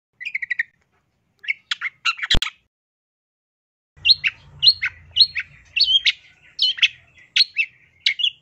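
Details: Long-tailed shrike (cendet) master song: soft trilled chips, a sharp click, then a steady run of bright, high, rising-and-falling whistles about twice a second; brief low rumble in the middle.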